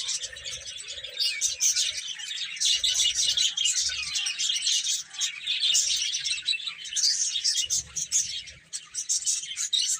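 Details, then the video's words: A group of baby chickens feeding and playing, their shrill chirps crowding together into a continuous, busy twitter that swells and eases over ten seconds. "Baby Chicken Chirping Sounds"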